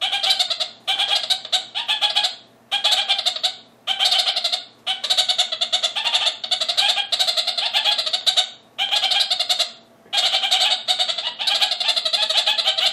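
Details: A male red-crowned parakeet gives harsh, bleating chatter in rapid bursts with short pauses, chattering at another male in the neighbouring aviary.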